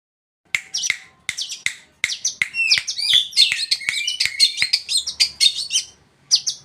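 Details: Long-tailed shrike from East Java, tame and in full song, used as a lure to make other shrikes answer: a rapid run of sharp clicks and high chattering, squeaky notes with scratchy mimic-like phrases.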